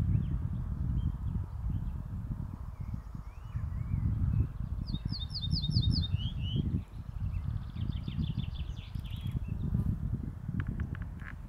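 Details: A male Ortolan bunting sings near Ulva Kvarn north of Uppsala, Sweden, on 7 June, a short series of clear, ringing notes followed by a lower note, repeated twice, over heavy low wind rumble.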